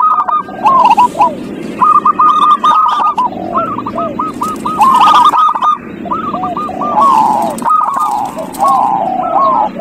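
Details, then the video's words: Zebra doves in chorus, played as a lure to get a reluctant dove singing: several birds overlap in bright, clipped cooing phrases of short hooked notes, repeated in quick bursts with brief pauses and a steady background hiss. "Pancingan perkutut paling ampuh | perkutut males bunyi"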